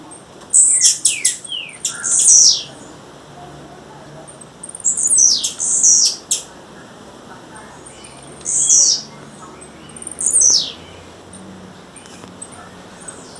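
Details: Wild female blue-black grassquit calling: sharp, high, buzzy down-slurred notes given in small clusters every few seconds, some bursts doubled or tripled, with a quiet background.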